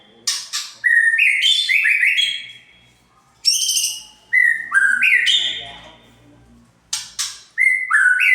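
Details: Lure song of a white-rumped shama meant to make a bird agitated: scratchy high chips leading into stepped rising whistles, repeated in several bursts with brief silent gaps.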